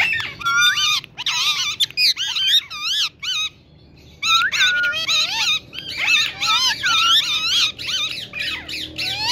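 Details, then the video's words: A talking green ringneck parrot repeats "Mithu Beta" in two long runs of squeaky, warbling speech-like phrases with rapidly bending pitch, split by a brief quiet gap, low hum underneath. "Talking Parrot Saying Mithu Beta Green Ringneck Parrot Beautiful Voice"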